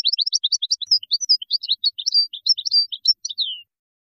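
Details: Moroccan goldfinch, 2019 widani song composition: a long, busy string of high twittering chirps and short whistles, finishing with a falling slurred note; no other sounds.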